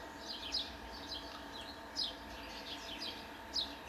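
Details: Italian sparrow calling: short, sharp descending chirps repeated about every one and a half seconds, with fainter chirps between them over a steady low background hum.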